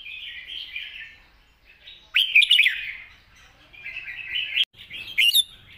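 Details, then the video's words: Caged red-whiskered bulbul in a long, soft song with 'rik' notes, wild-style phrasing. Mellow warbles are broken by a loud cluster of quick, bouncing whistles, a sharp click, then more warbling and a final bright burst. "เพลงยาว ปากเบา ร้อง+ริก /สำนวนป่าๆ"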